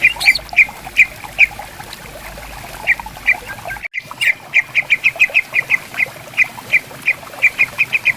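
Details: Riverside bamboo forest with greater green leafbirds singing in answer to one another: bright, metallic chip notes, scattered at first, then a quickening string after a brief gap, over flowing water.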